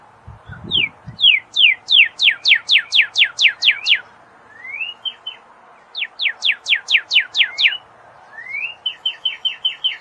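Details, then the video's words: Northern cardinal singing loud clear phrases of rapid repeated downslurred whistles, about a dozen per phrase, alternating with rising slurred notes and faster chip series, in a quiet setting. "BEST CARDINAL bird song chant cardinal"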